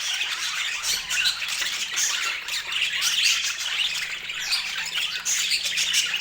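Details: Colorful pet budgerigars chattering as a group: dense, continuous high chirps and squawks overlapping throughout, with brief brighter whistled notes poking out of the steady busy din.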